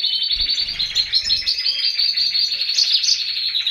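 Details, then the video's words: Four canary chicks being fed by a Balkan goldfinch; nonstop fast, buzzy high-pitched twitter, pulsing evenly with a few louder peaks near the end. "CARDUELIS BALCANICA FEEDING 4 BABY CANARIES"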